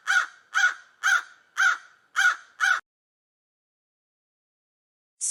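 A crow gives six harsh, hoarse caws, about two per second, then falls silent; a brief high burst of another sound follows at the end.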